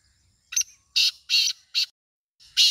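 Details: Harsh rasping call of a black francolin (kala teetar): a short scratchy opening note, then three loud grating notes, and another begins as the clip ends; faint low rumble underneath.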